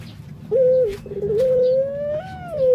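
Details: Barbary dove, known locally as puter, cooing: a clear drawn-out hum that holds steady, then swells slightly higher and sinks at the end, after a short opening note.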